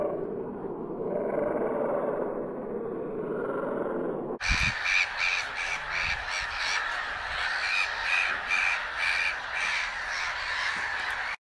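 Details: Black-headed gull (Chroicocephalus ridibundus) giving harsh, grating calls in quick irregular bursts over steady hiss after a few seconds of low rumbling; recording includes a slowed-down section.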